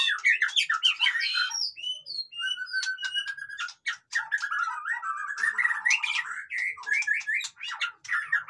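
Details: White-rumped shama song used to rouse lazy captive birds into singing: a rich, fast stream of varied whistles, trills and sharp clicks, rapid phrases with quick pitch jumps and a long wavering mid-pitched run near the middle.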